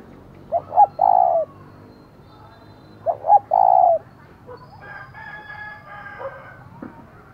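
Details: Decoy spotted dove ('giọng thổ' voice) calling to stir up wild rivals: two low coo phrases, each a short double note and a sustained coo, then a rooster crows in the background.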